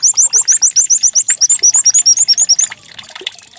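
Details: White-eye song, likened to a canary and played as a decoy to start birds singing: a brisk sequence of high, upswept whistled notes at a steady rate, then a faint trickling hiss.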